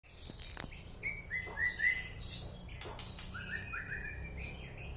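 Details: White-rumped shama (murai batu) from Alue Ie Mirah, East Aceh, singing clear whistled phrases. High bright notes alternate with lower slurred whistles, each phrase lasting about a second, over a low rumbling background.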